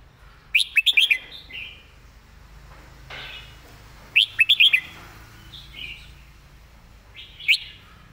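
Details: Model song of a Red-whiskered bulbul for teaching birds: three bright bursts of rapid chirpy notes, at the start, middle and near the end, with quiet gaps and gentle background chatter.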